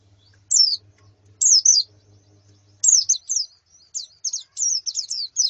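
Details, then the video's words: Female and colony white-eye calls played to prompt a male's song: isolated high, down-slurred notes at first, building into a quicker chattering series of sharp chips. "Suara Pleci Betina dan Koloni Untuk Terapi Kicau Pleci Jantan"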